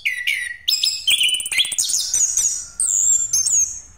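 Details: Lure song of an orange-headed thrush in 'ngeroll' style: a lower whistled slur, then dense, very high rattling and twittering phrases with long piercing whistles, energetic and nearly unbroken.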